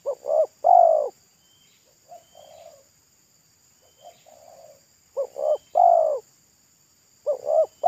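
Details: Spotted dove, a wild local bird with a thick, loud pesom-like voice, calling at a roadside: loud three-note phrases, two short notes and a long coo, about every two and a half seconds, separated by softer two-part coos.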